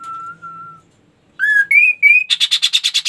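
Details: Ashy tailorbird: a long level whistle, a short silence, then three quick upward-stepping whistled notes that break into a rapid, buzzy trill of repeated pulses.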